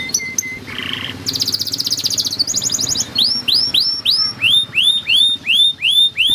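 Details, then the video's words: Yellow canary song opening with a thin whistle and a buzzy burst, then high rattling trills, followed by a steady series of clear downward-swooping notes repeated about twice a second. "Yellow Canary Singing Training Makes Your Canary Fast Singing Beautiful and Rocking"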